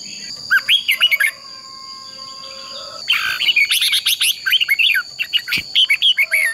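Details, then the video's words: Red-whiskered bulbul fighting song (hót đấu) for training: busy, nearly continuous strings of rapid whistled and chirping notes, possibly more than one singer overlapping, over a constant shrill high drone. "Chào Mào Ché Kích Chim Nhanh Sung Lửa | Chào Mào Hót | Chào mào hót đấu | Luyện Chào Mào Hót Đấu Ché"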